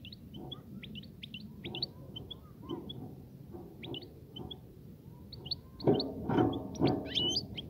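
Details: A European goldfinch sings to encourage a female to breed and build a nest. Bright, short chirped phrases repeat at an uneven rate, growing busier at the end, where louder low knocking sounds join over a humming background.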